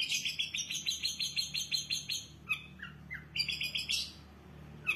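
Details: Vigorous, lavishly varied long-tailed shrike song, a rapid rattling series of bright notes followed by short sliding whistles and a burst of fast high chatter.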